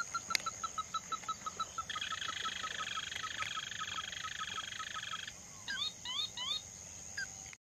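Ruddy-breasted crake gives hard, evenly spaced notes about four per second, then a continuous insect buzz and a steady high whine take over, with brief chirps near the end.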